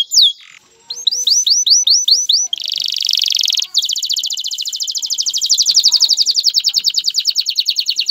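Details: Male canary song to stimulate a female to mate and build a nest: a sharp opening note, a run of upswept whistles, a buzzy trill, then an extended fast rolling trill.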